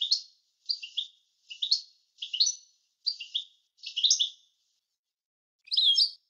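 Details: Goldfinch in a clean recording used for song tutoring: a series of six short twittering double chirps at about half-second spacing, then a pause and a brief jumbled warble.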